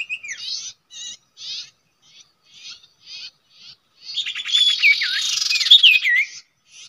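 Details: Common iora at a usual nesting spot: a series of short buzzy notes about twice a second, then an intense two-second burst of looping whistles over fast rattling chatter.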